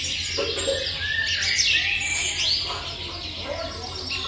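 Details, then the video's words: A brood of small nesting birds awaiting food, chirping in an insistent high, squeaky chorus with a few louder sliding squeals, continuous throughout, over a faint low hum. "Nesting small birds waiting for food"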